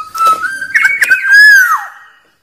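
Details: Black-naped oriole (kepodang) calling with one sustained, liquid whistle that holds steady, lifts slightly and then drops away in a smooth slur.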